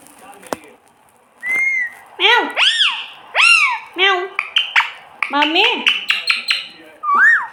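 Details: Pet parrot imitating a cat's meow indoors: a series of harmonic, arched, meow-like calls that rise then fall, several in quick succession with short gaps, mixed with chattering notes and a final rising whistle.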